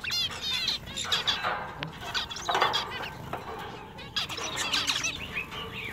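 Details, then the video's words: Male zebra finches kept in a pet shop give a dense, overlapping chatter of nasal, harmonic "meep" calls and short snatches of song. The bright chirps come in quick clusters throughout, over a steady murmur of shop background noise. "Male Zebra Finches Singing In A Pet Shop"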